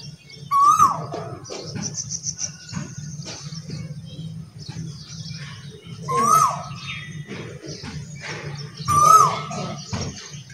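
An Asian koel gives three loud, rising, whistled notes spaced a few seconds apart, over a low rumble with faint chirps from other small birds.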